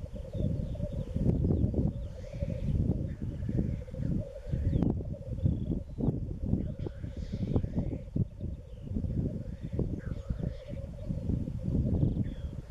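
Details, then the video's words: Black grouse (Tetrao tetrix) lekking, with females present, in east Wales on 31 March 2016: a steady, low, bubbling rookooing that runs on without pause, with a few faint higher hissing notes above it. "Black Grouse"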